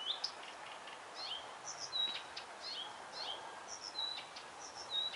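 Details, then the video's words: Blyth's reed warbler (Acrocephalus dumetorum) singing: a quick varied run of high chirps, slurred whistles and short clicky notes, a phrase every half second or so, over a steady hiss of background noise. "Песня Садовой Камышовки. Голос Камышовки"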